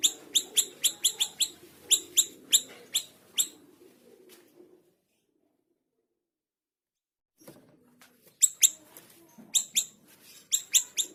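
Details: Energetic scarlet minivet song for tutoring other cage birds, with quick bursts of piercing, high, clipped notes in a steady series, a silent gap of about three seconds, then the bright repeated notes resume.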